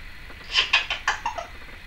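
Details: Indoor pet female Timneh African grey parrot, 2012, uttering a quick burst of squeaky, chattering notes that drop lower toward the end.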